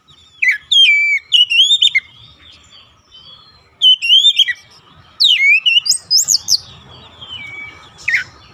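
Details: Oriental magpie-robin singing as bait to provoke other magpie-robins: clusters of quick whistled notes and downward slurs in three bursts, the last with shrill high squeaks, over a faint hum.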